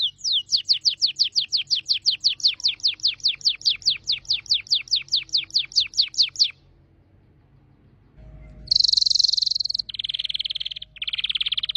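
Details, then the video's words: Canary singing a long steady run of fast descending whistles for about six seconds, a pause, then high buzzy trills. "Canary singing"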